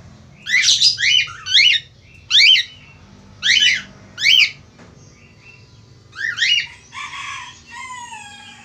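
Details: Male Australian finch calling eagerly, a quick cluster of rasping downslurred squawks at the start, then a pause, then more buzzy notes ending in a fuzzy, rattling burst; faint low hum behind.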